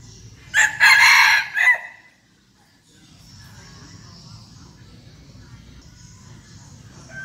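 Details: Seven-month-old red junglefowl rooster kept as a decoy bird, described as crowing often, in Bình Phước, Vietnam; one loud, harsh, clipped crow lasting about a second, then quiet rustling and faint distant background sounds.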